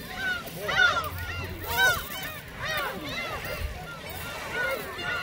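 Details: A flock of gulls on Seonjaedo island, being fed snacks, gives overlapping, harsh, arching mewing calls about once a second, with faint voices and a low rumble underneath; recorded 25 March.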